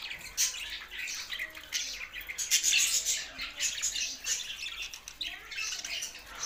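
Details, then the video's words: Budgerigars give harsh, buzzy squawks and scratchy chatter in a steady, crowded stream of sound. "Budgies Sounds for Lonely Happy singing"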